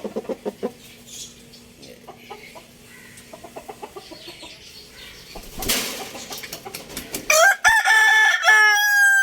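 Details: Young rooster crowing after a stretch of quiet clucking and a burst of wing flapping; the crow rises steeply then holds a loud, even, harmonic-laden tone until the clip ends.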